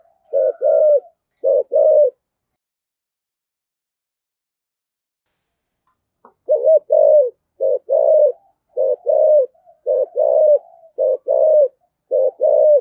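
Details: Spotted dove used as a decoy, thổ voice style, giving paired low cooing phrases, a brief note then a longer burred one, first two phrases, a silent gap of four seconds, then steady repeats.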